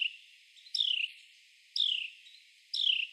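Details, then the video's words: Male Carolina wren clinging to and crawling on a tree trunk while catching insects, giving loud, descending whistled notes repeated about once a second, each sliding downward. "Carolina Wren bird call loud sounds"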